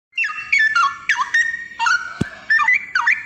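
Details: Straw-headed bulbul singing loud, rich whistled phrases that warble up and down, each burst lasting about half a second and separated by short pauses, with one sharp click near the end.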